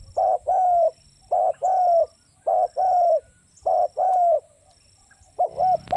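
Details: Spotted dove calling in a steady rhythm: paired mellow coos, short then long and drooping slightly at the end, four pairs in a row, then a final wavering double note.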